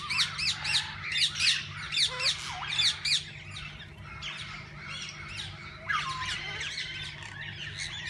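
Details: Parakeets calling in a walk-in aviary, with a quick series of bright, rising-falling squawks repeated about every half second, then softer mixed chatter from the flock.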